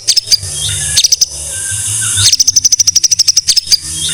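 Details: White-rumped shama, from a songbird tutor recording: a brief chattering start, then a long fast train of high, clipped repeated notes over a constant background hiss.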